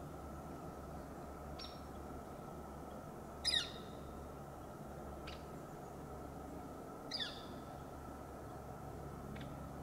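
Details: Juvenile Northern Flicker on a Bishop Pine in S. F. B. Morse Botanical Reserve, California, gives two harsh downslurred squawks about four seconds apart, responding to a Hairy Woodpecker; faint sharp ticks between, over steady hum.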